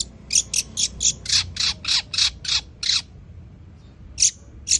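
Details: Long-tailed shrike of Madura origin, a fighter bird in full voice, delivering Greja sambung Kunti song: about eleven loud, grating high notes in steady rapid succession, a short gap, then two more.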